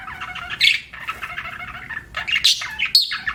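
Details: Budgerigar giving two lively bursts of bright chirps and squeaky warbled notes separated by a short drop in volume.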